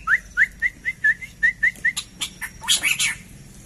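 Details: Black-crested bulbul kept in captivity, giving a steady series of short whistled notes at an even pitch, about four each second, that break into a louder, rougher burst of notes at the close.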